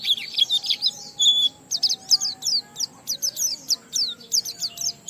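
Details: Oriental white-eye singing in the ngalas style, meant to prompt other white-eyes into song; a dense, high twittering phrase, then a long run of quick sharp chirps repeated several times a second, with a faint low hum behind.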